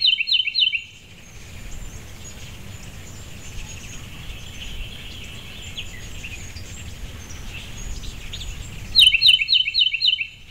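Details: Migrating ruby-throated hummingbirds (Archilochus colubris), mostly immatures, at backyard feeders in Starkville, Mississippi, mid-September 2012: quick bursts of sharp, high chip calls, three or four per burst, at start and end, low steady rumble between.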